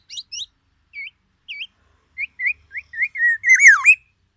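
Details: Aceh black-naped oriole singing white-rumped shama phrases: spaced short upslurred whistles, then quickening liquid notes that swell into a loud rich descending flourish.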